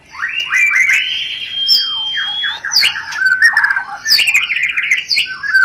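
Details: White-rumped shama mating lure: a long steady whistled note followed by rapid warbled trills and chattering phrases, punctuated by sharp high clicks.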